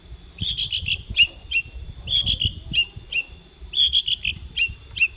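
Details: Long-tailed shrike singing in short bursts of three to five bright, high whistled notes, each phrase ending in a lower slurred note, separated by brief pauses, over a low background rumble.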